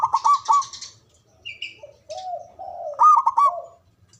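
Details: Zebra dove of local Javanese stock, kept for its loud natural song: fast stuttered coos, a lower drawn cooing passage, then another bright stuttering burst, with a brief high chirp between.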